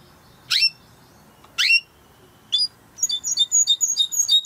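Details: Timbrado canary singing for training: two loud rising chirps with pauses, a short note, then a fast run of bright high whistled notes in quick succession; faint background hiss.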